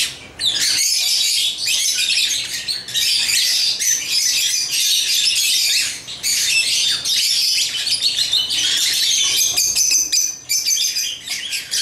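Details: African lovebirds playing with toys chatter in high, scratchy squeaks and chirps, several bursts a few seconds long separated by brief quiet gaps near six and ten seconds.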